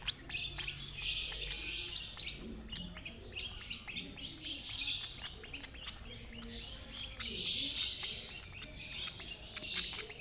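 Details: Dense bursts of high, squeaky chirping from a lovebird being fed by its older sibling of the same brood, rising and falling in busy waves over low hum.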